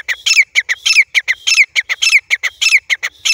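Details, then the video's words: Grey francolin chicks recorded in Layyah: rapid, uneven bursts of harsh, squeaky downslurred notes, roughly two per second, some doubled, bright and close, with nothing else audible. "Grey francolin chicks baby teetar"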